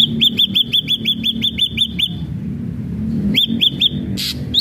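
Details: Ashy drongo singing; an even series of about eleven bright, curling whistles, a brief pause, three more whistles, then a harsh buzzy note.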